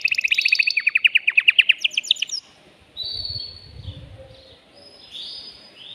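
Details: Excited male canary song meant to stimulate a female for mating: a loud rapid trill of descending notes for two seconds, followed by quieter drawn-out whistles and faint low background noise.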